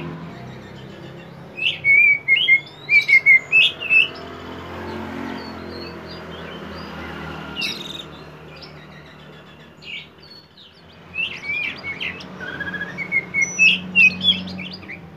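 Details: Kacer poci, an oriental magpie-robin, in lively konslet-style song meant as a lure to get other birds singing. Two bouts of rapid, sharp whistled chirps and short slurred notes, separated by a quieter stretch, with a steady background hum.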